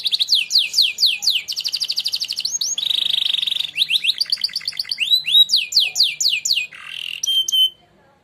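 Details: Winning contest canary singing training song: varied sequence of swooping whistles, rapid trills and a buzzy roll, repeated phrases changing every second or two, ending in clear high notes.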